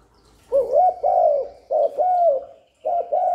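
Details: Spotted dove cooing to lure wild birds and stimulate newly kept doves: steady, mellow coos in pairs, short note then longer slurred note, repeated three times with brief gaps.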